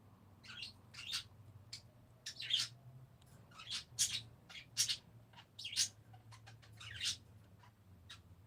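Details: Parakeets chirping in a quiet indoor setting: a scattered series of sharp, high, clipped tweets, some louder and squeakier, at uneven intervals over a low steady hum.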